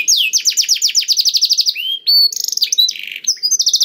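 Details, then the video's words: Canary song meant to get silent canaries singing, opening with a fast series of descending whistles, then a clear slurred note, buzzy rattles and rapid bright chips. "KENARI GACOR DOR INI MEMANCING KENARI YANG SUSAH BUNYI JADI IKUT GACOR"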